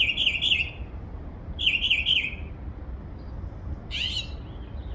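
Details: Twittering from a backyard bird said to produce over 20 different sounds: two bright, warbling phrases of wavering whistled notes, then a sharp rising note, over low background hum.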